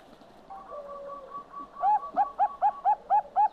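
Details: Perkutut Bangkok, the zebra dove, singing in the manggung style: a soft run of low level coos, then a steady series of about seven loud, even, rising-falling coos spaced roughly a quarter second apart.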